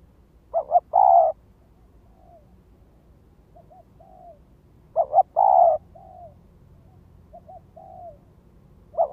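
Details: Spotted dove used as a lure, repeating its phrase roughly every four and a half seconds: doubled short note, long mellow coo, then several soft, quieter trailing coos.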